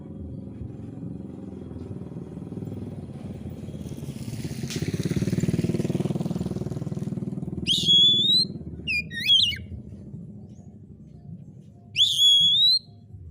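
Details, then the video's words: Oriental magpie-robin in gacor song. A passing motorcycle roars through the first half, then the bird gives a bright rising whistle, a quick twisted note and another long whistle near the end. "SUARA BURUNG KACER"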